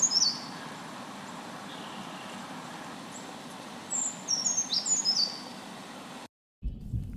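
Brown Creeper giving very high, thin, sibilant notes: a brief pair at the start, then a short cluster of faint tsee calls, over steady background hiss.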